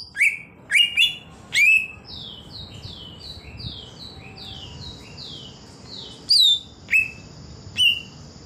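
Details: Greater green leafbird in the wild, giving a few sharp down-slurred whistles, then a long run of quicker softer falling notes, then more loud spaced whistles near the end.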